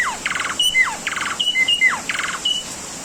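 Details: Asian pied starling master song for training caged birds. Bright descending whistles alternate with short grating, buzzy bursts, and a few level whistled notes are mixed in. The sequence is repeated several times in three seconds.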